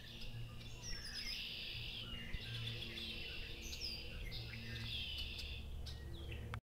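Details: Red-winged blackbirds sing among many other birds on a Massachusetts farm at Appleton Farms. Dense overlapping trills and buzzy phrases fill the air continuously, with a faint low hum beneath.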